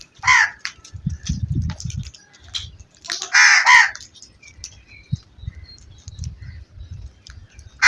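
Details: Crow giving harsh, hoarse caws: a short burst near the start, a longer rasping caw around the middle and another at the end, over a low rumbling background.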